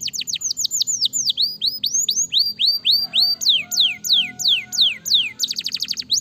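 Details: Canary in full song: rolling strings of high downward-sweeping whistles that shift in pace and pitch, ending with a dense, fast buzzy trill.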